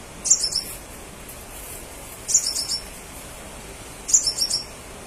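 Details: Crimson sunbird in lively song, played so other crimson sunbirds will answer: three fast, high, thin twittering phrases of several notes each, spaced about two seconds apart, above a low steady hiss.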